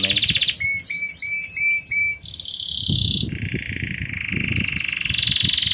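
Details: Intense yellow Belgian canary singing a lot: rapid trills and rolls, a few repeated swooping notes and then long pulsed high tours that shift in pitch, over low background rumble.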